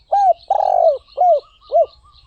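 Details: Spotted dove phrase of arched, mellow coos around a long vibrating, rolled central note, then two clear falling coos; light twittering of small birds in the background.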